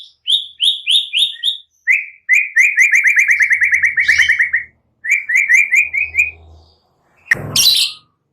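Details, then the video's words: White-rumped shama said to include cililin and prenjak phrases, sung to provoke rival shamas into singing. Bright high notes repeated five times lead into a long fast run of evenly spaced whistles, a short repeated burst, then one harsh rasp. "Pancingan MURAI BATU GACOR Full Cililin Prenjak Bikin Emosi murai batu Males Bunyi gacor kembali"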